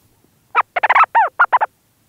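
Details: A Leach's storm petrel calls from inside its burrow, heard up close: a hurried run of about seven gruff, chattering syllables, one a drawn-out arched note, with nothing else audible.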